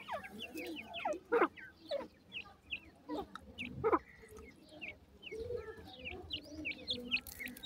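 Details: Playing grey francolin chicks cheep constantly in brief, sharp, high notes, broken by several louder, harsher clucking bursts spaced a second or two apart, over a steady low murmur.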